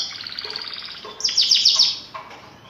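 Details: Canary gacor song for tutoring young or silent birds: a soft, even trill building into a loud, ringing burst of sharp notes, then fading.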